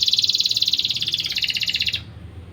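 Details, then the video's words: Singing canary played as a lure to excite young canaries into breeding condition; a steady, very rapid high trill lasting two seconds, stepping slightly lower midway, then stopping abruptly, with low room hum. "Dongkrak Birahi kenari muda Dengan pancingan burung kenari gacor satu ini. Kenari gacor cuit-cuit"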